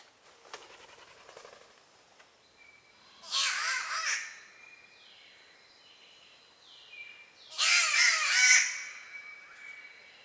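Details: Spotted catbird (Ailuroedus maculosus) in Australia, a bowerbird family member whose calls are likened to cat meows and yowls: two harsh, nasal, wailing yowls about four seconds apart, each roughly a second long, over a steady thin insect-like hum.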